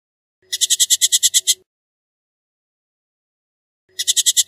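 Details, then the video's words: Bullock's oriole, Icterus bullockii: a dry, grating rattle of roughly nine quick even pulses, then silence for over two seconds before the rattle starts again; no other sounds. "Bullock's Oriole Bird Singing, Sound, Calling, Chirp"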